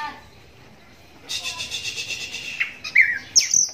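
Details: Oriental magpie-robin, a one-eyed bird blind in the right eye from cataract since young, singing as other magpie-robins answer; a buzzy harsh rattle is followed by sharp whistled notes rising and falling, with faint background noise.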